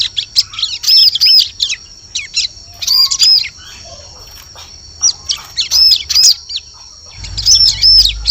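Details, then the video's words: Ciblek calling on a forest lure recording: irregular high chirps and short arched whistled notes in loose groups, with a low rumble rising near the end. "Suara Pikat Burung Ciblek"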